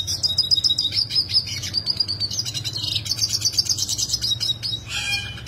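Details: Sharp, rolling song of a yellow siskin, original recording: fast high chattering trills that run on without break, rising into a buzzy roll, then a short harsh note at the end; low background hum.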